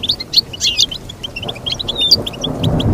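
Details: Short stretch of goldfinch song: quick chirps, a twittered run, and a thin whistled slur, over rising low background noise.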